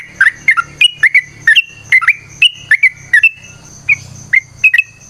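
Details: Sooty-headed bulbul in lively fighting-style song with long rapid phrases, used as a lure to make other birds answer: short bubbly whistled notes, some rising and some falling, in quick pairs about every half second, over a faint low hum.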